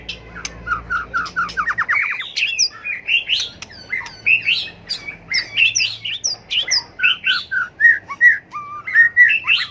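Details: Competitive fighting song of a white-rumped shama, used for training birds to sing: a quick run of rising whistled notes opens, followed by rhythmic, bouncing phrases repeated about twice per second, mixing high sharp notes and lower whistles.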